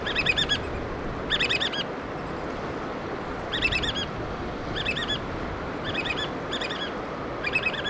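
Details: Shrill piping of black oystercatchers tending and feeding chicks, a string of rapid whistled bursts separated by short gaps, heard over steady waves and hiss.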